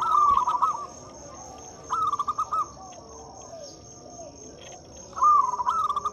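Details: Local zebra dove used as a lure for quiet doves, giving two rapid stuttered coo phrases about three seconds apart, each a string of soft pulsed notes, with a steady high insect whine throughout.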